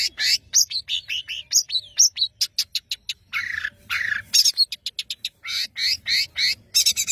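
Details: Vigorously singing (gacor) long-tailed shrike from Madura: loud, fast medley of high ticking chirps, sliding whistles and harsh buzzy phrases, repeated in tight clusters almost without pause.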